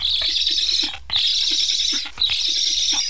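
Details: Black stork chicks in a nest in Estonia, carrying transmitters, plead for food while parents repeatedly fly off unfed. Three rasping, hiss-like wheezes of roughly a second each, separated by short gaps, with soft low clicks.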